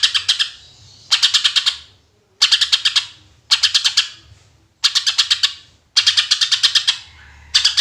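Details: Clear greater green leafbird 'tembakan' song used to lure other birds: six loud rapid bursts of sharp ticking notes, each about half a second long, separated by near-silent gaps of roughly a second.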